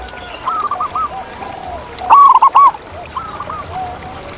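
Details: ['Wild zebra dove cooing in nature. Soft rolling phrases from farther birds frame one loud, quick burst of bubbling notes near the middle.']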